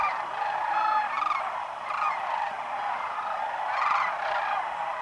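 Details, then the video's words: Thousands of sandhill cranes arriving in waves around noon at Whitewater Draw, southeastern Arizona, on 1 January 2012 after morning foraging, giving a continuous dense chorus of overlapping rolling, bugling calls on their winter migratory stopover. "sandhill cranes"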